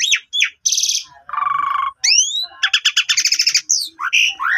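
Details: Asian pied starling song meant to coax a sulking starling into song. Forked chirps, a harsh high rasp, a low buzzy churr, rising whistled slurs and fast rattling bursts follow one another.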